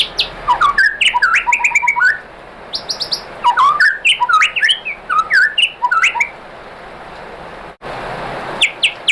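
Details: White-rumped shama song used to draw other shamas into singing: bursts of quick varied chips and slurred whistles in clusters, separated by short pauses.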